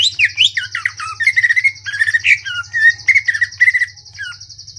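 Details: Rapid, harsh-textured phrases from a Greater green leafbird singing in the ngentrok style: tight bursts of twisting whistles and slurred notes without pause, backed by a steady high-pitched buzz and a low background hum.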